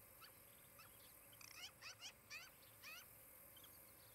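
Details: Osprey at its nest in Charlo, Montana, on a nest camera on 23 July 2018 in the late morning: a short run of faint, sharply rising and falling chirped notes, loosely spaced, over steady background hiss.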